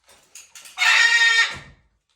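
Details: Macaws freaking out over morning snow: one loud, harsh, raspy screech about a second long, rough and broad, rising fast and then fading, after a few soft, faint noises.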